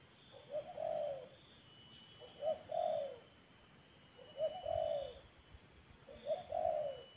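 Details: Spotted dove, a wild bird answering a decoy bird as both show off their voices: faint mellow coo phrases, each a short note and a longer falling one, repeated about every two seconds through noisy hiss.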